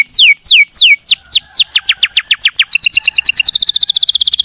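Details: Canary singing long phrases: slow falling whistled notes that speed up into progressively faster trills, ending in a rapid high rattle.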